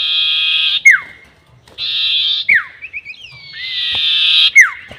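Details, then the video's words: Sirtu bird, long 'nyiul' call used to lure birds for trapping: harsh buzzy notes each closed by a sharp descending whistle, with small twittering notes between phrases. "SIRTU NYIUL PANJANG ..... ‼️ Cocok Untuk Pikat || Suara Pancingan Sirtu"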